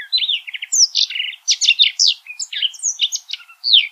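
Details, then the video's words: Short burst of Yellow canary (Crithagra flaviventris) song: quick sequence of sweet, high slurred notes, short trills and chips, clean recording with no background noise. "O canto do Canario amarelo"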